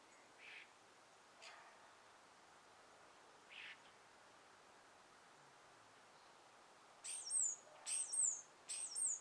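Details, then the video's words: Birds in trees at morning sunrise with a gentle breeze; after a few soft, faint rustling bursts, three sharp, very high chirps come close together near the end, each a quick bright flick. "birds chirping"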